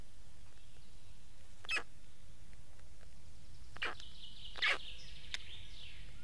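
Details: Black stork calls: a few scattered, harsh, wheezy bursts, alongside faint thin whistled notes from another bird and a steady low background rumble.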